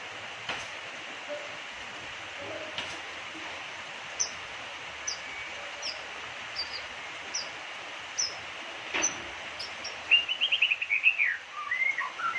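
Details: White-rumped shama, a caged songbird said to mimic a person's name, gives thin high whistled notes spaced about a second apart, then a rapid burst of loud chattering, rising and falling phrases near the end, over steady background hiss.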